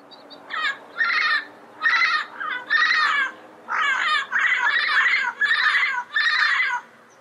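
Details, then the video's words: Yellow-headed amazon calling: a series of loud, harsh, buzzy squawks with broad noisy harmonics, each lasting about half a second, delivered in rapid bursts with short gaps. "Yellow Headed Parrot Sound Bird Call"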